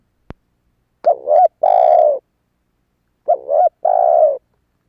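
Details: Spotted dove lure call for wild doves: a sharp click, then two mellow phrases, each a short dipping note followed by a drawn-out hollow coo.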